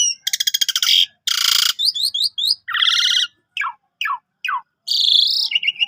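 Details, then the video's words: Javan pied starling singing hard with a full load of imitations, meant as a tutor for canaries: harsh rasping bursts, quick paired chirps, a buzzy trill, three sharp descending notes, and a closing wavering buzz. "Jalak Suren Tio Gacor Isian Full Cocok Buat Masteran Burung Kenari"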